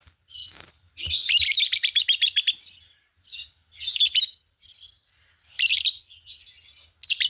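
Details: A green pair of Fischer's lovebirds chirps and chatters: a rapid run of sharp, high pulses near the start, then short bursts of harsh, squeaky twitters with brief pauses between them.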